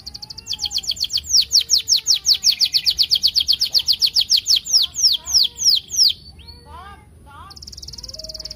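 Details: Energetic canary song played as a lure for other canaries: a long, fast run of falling whistles that slows into spaced, lower sweeps and soft chirps, then a short high buzzy trill.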